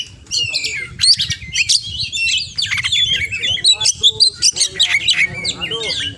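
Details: Oriental magpie-robin singing continuously with a full repertoire of imitated sounds: fast jumbled whistles, scratchy chirps and clicking bursts, the later part broken into quick rhythmic pulses, a low background rumble throughout.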